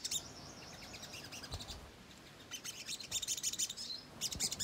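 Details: Ruby-cheeked sunbird song used as a lure to provoke birds into responding: bursts of very high, thin, rapid chirps, a pause, then denser chattering runs and a final short burst, over faint low background noise.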